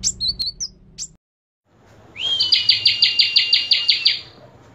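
Common tailorbird: a few thin high chirps, a pause, then a rising note and a fast run of about ten loud, sharp, even notes in two seconds.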